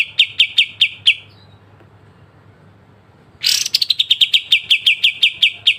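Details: Pied triller (kapas tembak) delivering sharp 'besetan' song as songbird training material: five crisp high notes, over two seconds of silence, then a loud rasping outburst running into a fast, regular string of bright chips.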